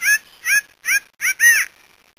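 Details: A Mouse-colored Antshrike from Brazil gives five harsh, nasal notes about every 0.4 seconds, the last longer and downslurred, in an otherwise quiet setting.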